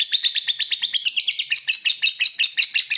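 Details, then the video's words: Lovebird ngekek panjang, a long chattering song used to coax other lovebirds into chattering: an unbroken three-second stream of very fast, harsh, high-pitched rattling notes. "SEKALI PUTAR LOVEBRID MANA PUN LANGSUNG NGEKEK PANJANG"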